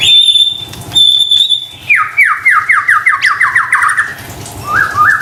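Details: White-rumped shama lure song for stressed kept birds: two thin sustained whistles, then a quick series of about ten descending slurred notes, ending with short rising chirps.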